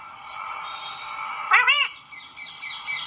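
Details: Pet talking parrot giving one quick, high, nasal spoken syllable, followed by softer chattering sounds over a light background hum.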